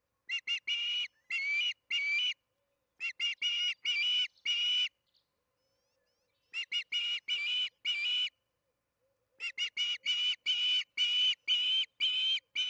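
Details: An osprey at the Charlo nest camera during evening feeding, June 21, 2019, at 8:15 pm MDT, gives repeated series of loud whistled chirps mixing short clipped notes with longer held whistles, in three bouts broken by brief silences.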